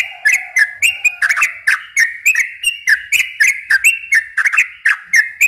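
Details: Continuous, rapid chattering song of a yellow-vented bulbul, used to lure and stimulate young birds. Short, bright notes follow one another about four times a second, and a faint low whistled tone sounds during the first second.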